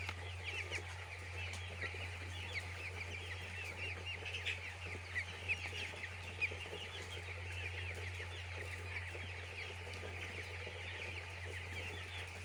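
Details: Many chicks peep nonstop on a poultry farm, short bright chirps packed densely throughout, occasional louder notes standing out, with a droning low hum underneath the whole time.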